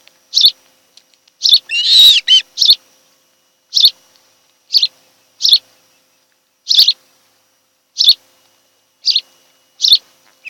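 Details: An osprey couple at their nest on Kent Island, Maryland, in July 2018: one brief loud ringing whistle amid a slow series of sharp single chirps, roughly one per second.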